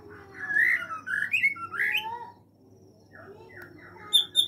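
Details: White-rumped shama in an aviary giving a brief burst of rich, slurred whistles, rising and falling, then softer short notes and a few high chips near the end.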